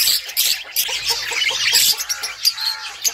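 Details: Budgerigars chattering: dense high chirps and short squawks overlapping, with some pulsed lower notes underneath.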